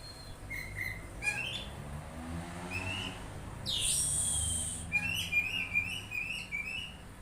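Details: Oriental magpie-robin answering another sound, giving short whistled notes around mid pitch, some slurred and rising, with a brief loud hissing burst in the middle and faint low background hum.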